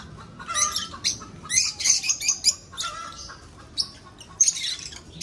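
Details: Breeding lovebirds in an aviary make dense screechy chirps and squeaks in clustered bursts, with short pauses between flurries of high, harsh notes.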